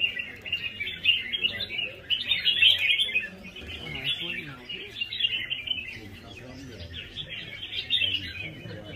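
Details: Red-whiskered bulbul giving a rhythmic competitive fighting song: loud, bright twittering phrases that later soften into steady chattering, with faint background murmurs.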